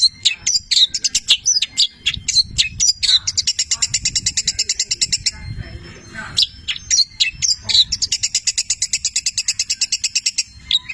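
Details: Long-tailed shrike, known locally as cendet, singing actively, its song packed with imitations of labet and canary. Bright, high chirped notes run into long rapid rattling trills, repeated in two bursts, with a faint low murmur underneath.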